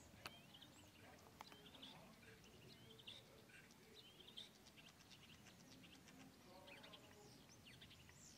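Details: Common starlings (Sturnus vulgaris) give a busy stream of short whistles, clicks and squeaky chatter, several birds calling at once over steady background rumble; Mali Lipoglav, 25 February 2024.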